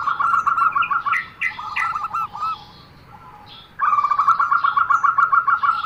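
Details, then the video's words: Unusual zebra dove call: rapid stuttering runs of short mid-pitched notes, a brief rolling phrase, then a pause and a long steady burst of quickly repeated notes. "perkutut suara aneh"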